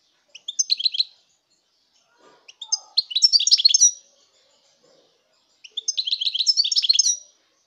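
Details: European goldfinch in song, 2019: three high twittering phrases of liquid, buzzy notes, each roughly one to one and a half seconds long, with short quiet pauses and a few soft sounds in between.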